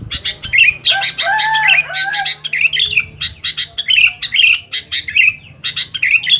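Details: Sooty-headed bulbul singing noisily to challenge rivals: dense bursts of sharp chattering notes and slurred whistles, some lower whistled phrases underneath, delivered in rapid repeated clusters over several seconds.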